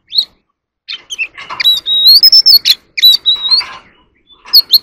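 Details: Oriental magpie-robin in a singing contest gives scratchy chatter and then a long, thin, wavering whistle that rises slowly, broken by clipped notes, ending with two short high whistles.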